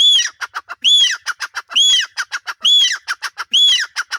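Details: In Punjab, a male grey francolin (teetar) calls loudly and repeatedly: a harsh arched note followed by a quick rattle of clipped notes, the phrase coming about once a second.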